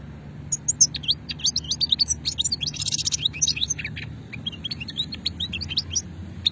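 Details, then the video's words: Singing European goldfinch in the old shetla style, recorded in 2020 at Hammam Guergour, Sétif, Algeria: a long, lively run of rapid high twitters, buzzy trills and sharp chirps, barely pausing, over a quiet low hum. "مقنين شتلة قديمة"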